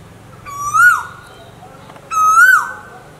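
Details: An Asian koel, from a recording comparing male and female birds, gives two strong rising whistles less than two seconds apart. Each note climbs, peaks, then drops away with an echoing trail.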